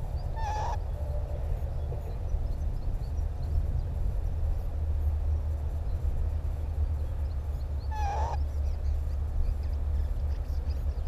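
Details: Northern lapwings on Timiryazev field in breeding season, mid-to-late May. Two brief slurred, upward-swooping calls about seven seconds apart, partly masked by strong continuous low-pitched wind noise.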